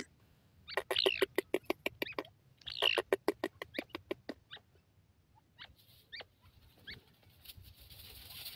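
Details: Grey francolin, known locally as gorela teetar, giving two fast bursts of sharp, clicking notes. Each burst runs about a second and a half and is followed by a few scattered higher squeaky notes, with a faint hiss behind them.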